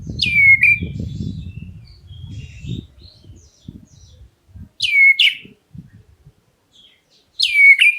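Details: Black-breasted oriental magpie-robin calling to provoke other birds into answering: three loud, sharply descending whistled notes with bright harmonics, spaced several seconds apart, over a low rumbling background noise in the first three seconds.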